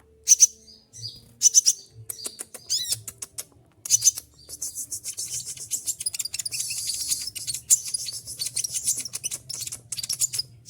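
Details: Olive-backed sunbird in moult, shedding all its feathers, opens with several sharp, shrill high bursts, then runs into a long, dense stream of fast, scratchy high chatter.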